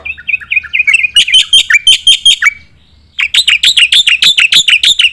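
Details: Black-winged myna delivering full fill-in song to train competition birds: slurred whistles lead into rapid, bright chirps, a short silence, then another burst of strong, evenly spaced notes.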